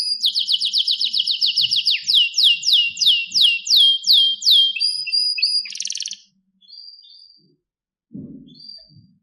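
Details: Canary delivers a long run of repeated downward-sweeping whistled notes, each evenly spaced, then a brief buzzy burst followed by quiet with a few soft faint notes.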